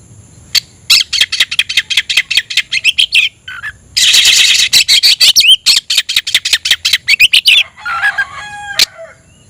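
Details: Rival-seeking oriental magpie-robin gives long runs of scratchy, rasping notes, a loud noisy burst, then a rising whistled slur. It closes with softer, lower chattering notes and a single sharp click.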